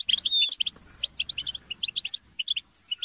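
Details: Several European goldfinches twitter and squabble in fast, bright, liquid chips and short buzzy notes, overlapping in a busy high-pitched chatter, used to stimulate captive goldfinches to sing.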